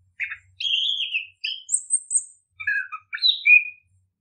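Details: Orange-headed thrush, singing to encourage other birds to sing, gives a drawn-out whistle, a thin, very high note, then a quick series of chattering, slurred notes.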